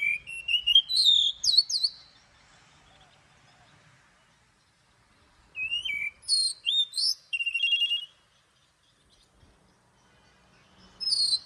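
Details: Oriental magpie-robin singing in the morning in a forest-style voice with long notes; bright whistled phrases of rising and falling slurred notes come in two bursts separated by several seconds of quiet.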